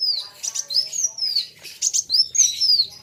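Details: Kolibri wulung sunbird singing against a rival; long, thin, high whistles slide downward one after another, mixed with brief buzzy bursts from the competing bird.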